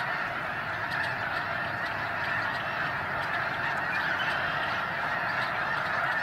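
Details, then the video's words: Sacramento Valley snow geese on migration: countless birds honking at once, merging into a steady, roaring wall of nasal calls. "Migrating Snow Geese in Sacramento Valley"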